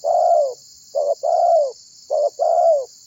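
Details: Spotted dove (tekukur), a lively calling bird, used as a lure to call other birds to sing. It gives low, mellow cooing phrases: a long slurred coo, a short clipped note, another long coo. Steady high hiss throughout.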